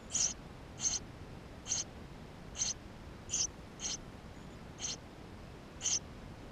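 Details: Eurasian tree sparrow nestlings in the nest, GoPro recording: eight sharp, very high squeaks at a steady, unhurried pace, about one every three-quarters of a second, with quiet hiss between them.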